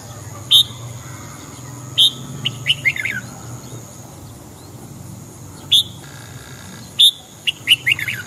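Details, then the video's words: A red-whiskered bulbul in morning song training gives bright, sharp chirping notes in short bursts and quick clusters every one to two seconds, over a faint steady high whine. "Luyện giọng chào mào hót sáng kích mào hót cả ngày"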